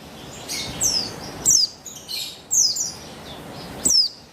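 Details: Female Javan white-eye (buxtoni) calling on 3/8/21 as bait to make males sing: high, quick downward-sweeping chirps in four short bursts with light hiss between them.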